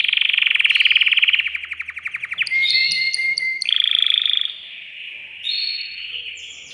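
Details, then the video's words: Caged male canary singing to excite a female for mating; long buzzy rolling trill breaking into pulsed notes, a thin whistle, then further smooth trilled phrases. "تغريد ذكر كناري هائج يريد تكسير القفص يحفز الأنثي لتزاوج"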